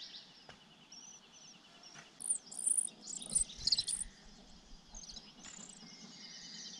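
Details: Sparrow chicks in a nest atop a pine tree, tended by a parent, give a burst of high, shrill, overlapping cheeps for about two seconds, with soft steady insect-like hiss underneath.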